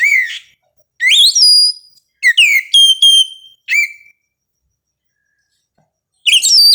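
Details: Oriental magpie-robin singing at dawn: loud clear whistled phrases, some rising sharply, others steady and held, in bursts about a second long with short silent gaps.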